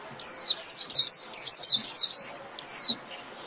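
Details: Japanese white-eye song calling the flock: a drawn-out falling note, a quick string of high chirps, then after a brief pause another long downslurred note.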